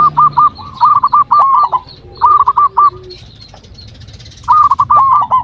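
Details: Local zebra dove lure call to prompt other doves to reply: loud rapid rolling coos, five or six staccato notes per phrase, three phrases separated by quiet gaps, with faint low background noise.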